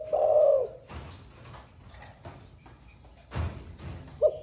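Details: Spotted dove, caged, singing in the thổ pha style and newly cooing throughout the day: a long hoarse coo opens, then knocks and rustling, and a short note at the very end.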